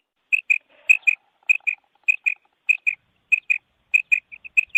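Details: Calling of a female quail, locally batair: sharp doubled high notes repeated at an even pace roughly every 0.6 seconds, ending with a quicker run of three shorter notes, faint low murmurs near the start, little else audible.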